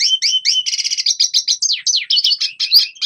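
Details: A brief Red siskin training song for young birds: paired high chirps, a short buzzy trill, then falling slurred notes and a rapid, bright twitter.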